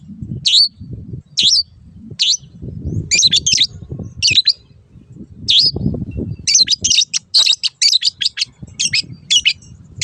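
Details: A long-tailed shrike master recording for caged birds opens with single high chirps spaced about a second apart, then speeds into a rapid string of sharp notes, with low rumbling noise throughout.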